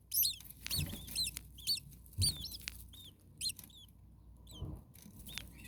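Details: Very hot young common starlings in a nest, their parent nearby: sharp, high-pitched squeaks and short bent chirps in bursts over the first half, then sparser single chirps, with occasional low bumping noises.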